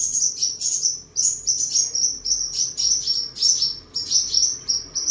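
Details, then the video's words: Seven-colour sunbird singing in captivity in Tân Phú, Đồng Nai, Vietnam, on 23 July 2022 while displaying and sparring; a steady stream of shrill, thin chips and short trills, pulsing in quick phrases for five seconds. "Chim Hút Mật 7 Màu Thuần Ngày 23/7/2022 Hót, Múa, Đấu Đá"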